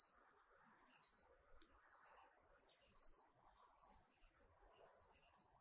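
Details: Marvelous spatuletail (Loddigesia mirabilis), a hummingbird, gives very high, thin, scratchy chip notes in short bursts, roughly one every half-second to second, over a soft low murmur of background noise.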